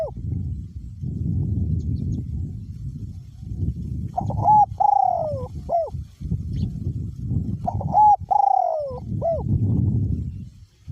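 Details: Spotted dove, a caged decoy bird with a small-to-middle voice, keeps cooing through strong wind. Two phrases of short note, long falling coo and clipped final note, almost buried in loud, continuous low wind roar.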